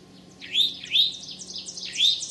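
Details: Eastern towhee, May 25, 2011, late morning, Sudbury or Marlborough, Massachusetts: a busy run of overlapping upslurred whistled notes, closely spaced, with higher thin notes mixed in.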